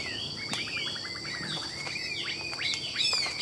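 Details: A caged Chinese hwamei for sale in Vietnam sings a soft chain of quick slurred whistles and chips, some sharp clicks mixed in, moderately quiet against a background hum.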